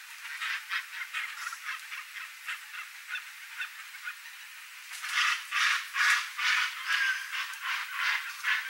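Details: A flock of Chestnut-bellied guans (Penelope ochrogaster), a rare Brazilian endemic, calling in their natural cerrado or forest habitat in central Brazil: harsh, honking notes repeated roughly twice a second, growing louder and fuller halfway through.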